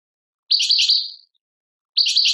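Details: Two short bursts of a European goldfinch song recorded in Tadmait, Algeria: bright, jangling twitters that fade out, a pause, then the next burst begins.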